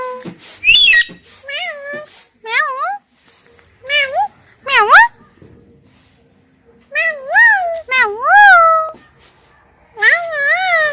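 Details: Talking parrots kept as pets give a string of short mimicked words, some with quick up-down inflections and others drawn out and falling. Several groups of words are separated by silent gaps.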